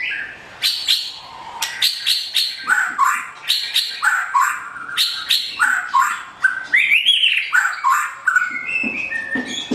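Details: A white-rumped shama with blorok mutation, patches of white feathers on its plumage, sings a loud, varied song: rapid whistled and sharp notes, sweeping phrases and quick trills repeated at a brisk pace.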